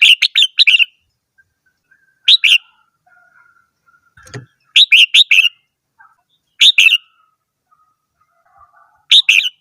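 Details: Singing red-whiskered bulbul repeating brisk phrases of three or four sharp chirped notes roughly every two seconds, with faint soft calls and a low thump in the pauses.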